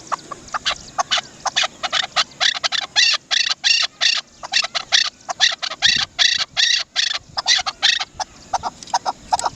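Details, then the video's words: Chukar partridge, known locally as dasi chakor, giving a long series of sharp, clipped chak notes, about two to three per second, loud and rapid with little pause. "Amazing sound of Dasi chakor"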